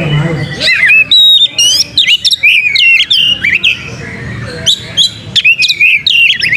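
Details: Oriental magpie-robin in full, active song, used as a lure to provoke tail-opening singing: ringing whistled notes, quick rising and falling slurs and clipped chips delivered in fast, irregular bursts.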